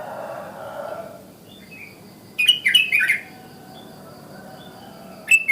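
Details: Sooty-headed bulbul heard in the morning giving forest-style calls that prompt other bulbuls to call; a rapid run of bubbly, looping whistled notes mid-clip, another phrase starting at the end, over soft background noise.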